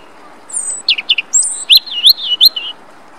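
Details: European robin singing at Rombergpark, Dortmund, 27 March 2013: a brief, high, thin phrase of sliding whistles and quick twittering notes leaping between pitches, over faint background hiss.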